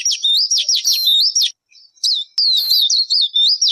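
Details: A single bird sings continuous, shrill, warbling phrases of quickly wavering whistles. A brief pause falls midway, then the song resumes.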